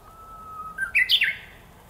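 A Japanese bush warbler gives its hoo-hokekyo song: a long, steady low whistle, then a quick rising flourish that breaks into bright, higher slurred notes.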